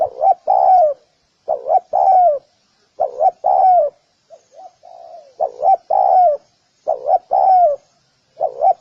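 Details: Spotted dove cooing rhythmically, about six phrases of two quick rising notes and a drawn-out falling coo, with one quieter, softer coo in the middle of the series.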